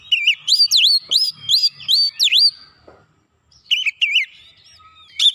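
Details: Song of an Oriental magpie-robin, used as a lure to trigger rivals: loud ringing whistles with deep V-shaped dips repeated rapidly, a brief silence, then a few wavering whistled notes resuming.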